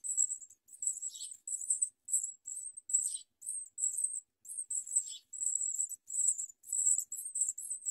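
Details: Young house sparrows biting their mother while she feeds them, begging nonstop; dense, shrill, high buzzy chirps in rapid runs, barely a pause between bursts, occasional lower rasping notes.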